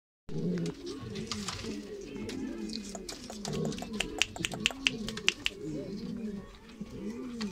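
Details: Black male Gaditano pigeon hatched in 2018, in strong breeding condition, gives deep rolling coos in repeated arching phrases that overlap one another, with sharp clicks and taps scattered through the middle and a roomy indoor sound.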